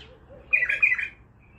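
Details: One loud, rasping squawk about half a second long from an untrained bulbul of the Baghdadi style, preceded by a faint low murmur.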